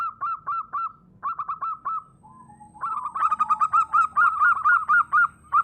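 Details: Song of a local wild zebra dove, singing actively and recorded as a lure for trapping: bursts of short, bright cooing notes, a brief lower wavering phrase, then a long rapid run of bright, rolling notes.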